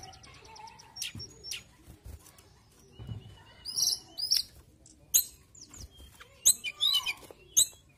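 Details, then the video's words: Mountain tailorbird singing actively, a varied string of high whistles, thin trills and sharp clicks, the louder phrases coming in the second half. "TLEDEKAN GUNUNG GACOR"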